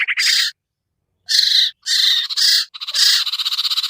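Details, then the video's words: Harsh lure calls for sirtu birds that are hard to attract down: a rattling burst, a long pause, then several buzzy rasping phrases and a fast pulsed trill. "suara pikat burung sertu sirtu cipoh yang susah turun"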